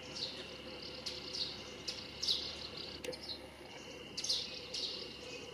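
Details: Russet sparrow song in roadside trees of Nikko Yumoto onsen town, Japan, alongside common sparrows; bright, high chirping notes spaced about every two seconds, with a constant high-pitched drone underneath.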